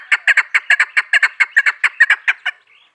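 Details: Female chukar partridge, hunter's call: roughly fifteen sharp, throaty chuck notes in quick, slightly uneven succession, stopping abruptly after two and a half seconds, followed by a faint trailing note.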